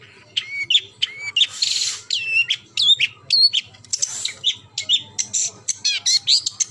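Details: Long-tailed shrike singing strongly: a rapid series of sharp, varied whistles and chirps, some upslurred, some falling, with short breaks between notes and a low hum behind.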